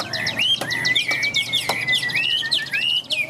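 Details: Tame Chinese hwamei singing nonstop in a loud, ringing voice: a long steady whistled line broken by quick upswept and hooked notes, delivered without pause.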